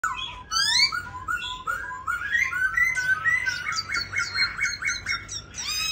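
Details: Caged, well-tamed pink-legged black laughingthrush singing a varied phrase: slurred whistles and rising buzzy notes, then a fast run of repeated clipped high notes near the end, with a faint indoor background hum.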